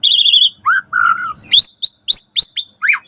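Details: Asian pied starling in full morning song, meant to stimulate caged starlings: a nasal stacked note, two low drawn-out whistles, then seven fast sharp upward-flicking whistles in a row.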